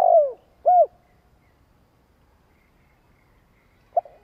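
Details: Spotted dove decoy's long coo meant to provoke wild birds: a drawn-out descending coo and a short rounded coo, then a long silence before one brief note begins another phrase.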